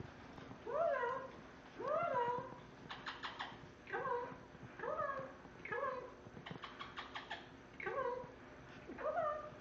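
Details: Female pet parrot in a portable cage mimicking a cat's meow. Eight rising-then-falling meows, roughly one per second, with brief clicking and rattling sounds between some of them.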